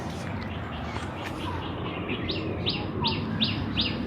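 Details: Common tailorbird at a local birding patch near a monastery in Chiang Mai, Thailand, gives a run of five sharp, high, emphatic 'tweet' notes, about three per second, over distant chirping birds and a low background rumble.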